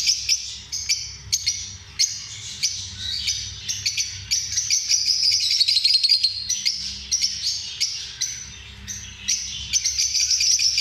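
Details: Several lovebirds keep up a continuous shrill twittering, sharp chirps tumbling irregularly about three per second, with a soft background hum.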